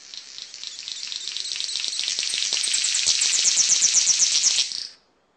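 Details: A male King of Saxony Bird-of-paradise of high-elevation cloud forest gives its territorial call to neighbouring males, a long, high, sizzling hiss like crackling static with fast rattling pulses that swell louder before stopping abruptly.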